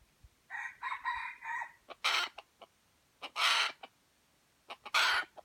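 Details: White-legged F1 junglefowl of Aceh: a nasal, harmonic stuttering call lasting about a second, followed by three loud rasping bursts spaced about 1.4 seconds apart with faint clicks.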